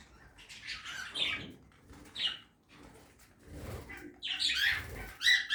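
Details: Budgerigars in a backyard aviary during feeding give grating chatter in short bursts, with a few clear squeaks near the end and some wing-flutter and rustling.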